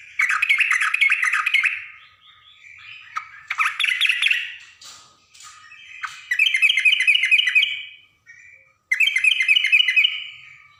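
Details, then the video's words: Yellow-vented bulbul female calling to a male, ngriwik style: four lively bursts of quick, rippling chatter over about eleven seconds, broken up by harsher squawky notes and short drawn-out tones between them. "burung trucuk gacor"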